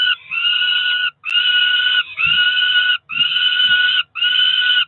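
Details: Two Peregrine falcon nestlings around four weeks old at a Cromer nest, 2 June 2023, begging during feeding: long steady screaming wails in evenly spaced bursts of about a second, separated by short silences, soft knocks underneath.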